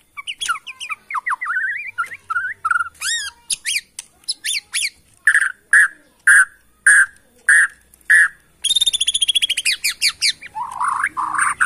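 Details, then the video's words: Bornean white-rumped shama, wild origin from Kalimantan forest, singing rising whistles and rising sweeps, then loud spaced buzzy notes about two per second, closing with a fast harsh rattle and descending chatter. "AKSI murai batu BORNEO ori Hutan KALIMANTAN"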